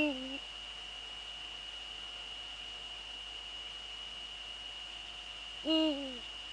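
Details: Male Eurasian eagle-owl recorded in the Netherlands at 17:30 on 6 February 2013, giving deep hoots that drop in pitch at the end: one at the start, another near the close, with a constant whine behind.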